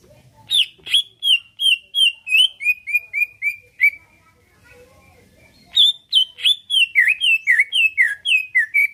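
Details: Caged greater green leafbird of Pasuruan, Indonesia, singing to goad others into replying and fighting; two rapid runs of bright downslurred whistles, each stepping lower in pitch, with a brief pause between.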